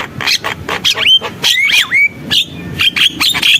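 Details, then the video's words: Javan myna alternating scratchy, buzzy bursts with clear swooping whistles that dip and rise, in choppy phrases. "JALAK KEBO GACOR, SUARA JALAK KEBO"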